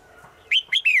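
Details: Female bird calling the male in the forest, heard every day; faint murmur, then three ringing whistled notes, two brief rising ones followed by a longer note gliding down.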